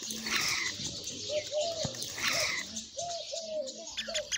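Black francolin giving harsh, grating call bursts about two seconds apart, with lower tonal calls and background noise beneath.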